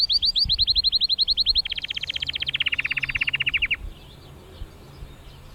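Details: Canary singing in Mesaria village on Santorini: quick repeated rising whistles switch to a dense rolling trill that drops slightly in pitch and ends abruptly, leaving quiet background.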